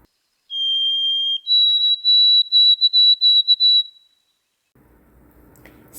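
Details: A White-throated Sparrow on spring migration in southeast Saskatchewan or southwest Manitoba, April–May, sings one long pure whistle, then a higher steady whistle broken into about seven quick even notes, followed by faint background hiss.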